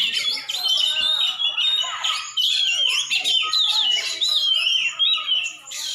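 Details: Oriental magpie-robin, a champion songbird from Aceh, delivering a busy, varied song of sliding whistles, short chirps and rattling phrases with brief dips in loudness between bursts.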